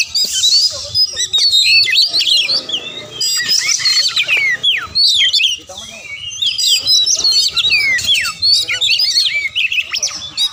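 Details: Kacer (magpie robin) in full song: fast, varied whistled phrases mixed with scratchy chatter and sharp upward and downward slurs, delivered almost without break; a brief quieter stretch near the middle before the loud phrases resume.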